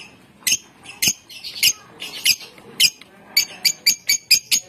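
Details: Lovebird kept as a contest bird in Bogor, giving its long 'ngekek' trilling song: sharp, harsh high chattering notes in uneven bursts, quickening near the end, with faint background noise.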